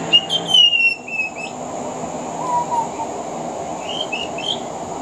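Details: Veranda-side song of a male pied butcherbird that includes mimicry of other Australian birds: a loud, long, high descending whistle opens, followed by quieter scattered notes and soft high chirps later.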